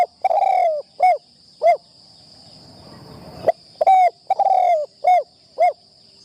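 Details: A spotted dove, a decoy bird being trained in a trap enclosure for the first time, gives two repeated cooing phrases. Each has a long, falling coo followed by two or three short hollow notes. A quiet stretch with a faint rustle separates them, over a thin constant high whine.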